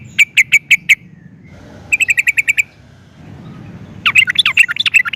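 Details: Yellow-vented bulbul sound used to draw other trucukan into singing: a short row of five evenly spaced chirps, a faster row of seven, then a tumbling run of rising and falling notes.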